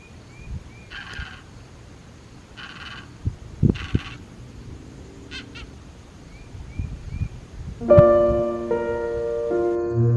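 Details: Lone Snowy Egret hunting in a foggy Cape Cod front garden on a still summer's day gives three funny harsh, raspy squawks about a second apart, over faint small-bird chirps and a low rumble of distant foghorns, before piano music.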